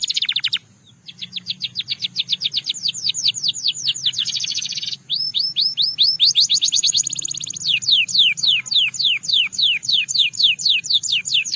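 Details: Russian singing canary pouring out fast rolling trills of descending whistled notes, around four per second, shifting into buzzy rattles and back, with a steady high hiss throughout.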